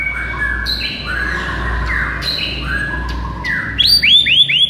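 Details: White-rumped shama song used to excite a listless bird: varied whistled and sliding notes across mid to high pitch, ending in a burst of quick rising chirps.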